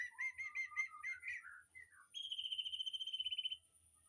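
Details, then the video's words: Aviary birds singing as training material for a white-rumped shama: a quick series of repeated chip notes and short whistles, then one long, even, rapid trill lasting over a second; low hum in the background. "Suara Burung Di AVIARY//Untuk Masteran Murai Batu"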